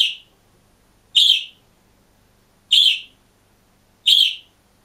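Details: Lone budgerigar in a cage calling: strong, shrill chirps, each short and slightly buzzy, repeated about every one and a half seconds in a steady series, nothing else heard.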